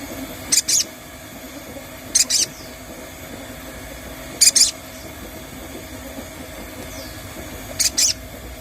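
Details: Crimson sunbird recording used as a lure to make other birds sing: very high, thin paired notes, each pair quick and sharp, repeated at irregular gaps of about two to three seconds over a steady low hum.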